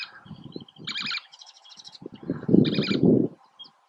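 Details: Least tern recorded at Oso Flaco, 31 May 2019, giving two short, grating high calls with fainter notes between them, partly masked by loud low-pitched wind noise.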